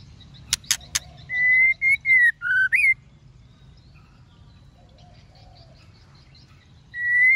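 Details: ['Female white-rumped shama calling to stimulate males to sing: a few sharp clicks, then a rapid string of clear whistled notes ending in an upslur, a long pause, and one more whistle.']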